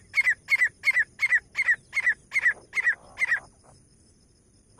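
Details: Grey francolin, Pakistani teetar of both sexes, a lure recording for partridge hunting: nine evenly spaced paired, slurred notes in a rapid string, then stopping abruptly into near silence.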